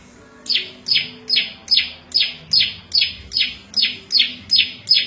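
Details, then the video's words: After a moment of quiet, the prenjak lumut prinia starts a regular train of buzzy descending chirps, about two and a half a second. It is a varied song for training caged birds and luring wild birds. "Suara Variasi prenjak lumut cocok buat masteran&pikat burung liar"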